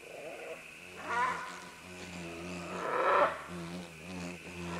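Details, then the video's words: Green-winged macaws calling while several descend along vines: repeated harsh, rasping squawks, the loudest around the middle, with a low steady droning hum underneath. "Green-Winged Macaw. MCU - MD Calls From Several As They Descend Along Vines"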